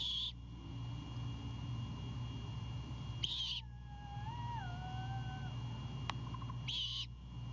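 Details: Great horned owl owlet at a Savannah nest cam, at night on 26 March 2022 around 21:36, as its father brings a bird to the nest. Three harsh, hissing bursts come roughly every three seconds, with a wavering whistled tone between them and a steady low hum.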